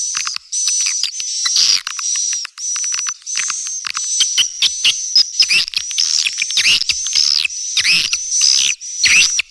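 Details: Calls of swiftlets played to attract young birds: a steady high whistle tone repeated in segments, overlaid with sharp chirps and clicks, about ninety bursts per minute.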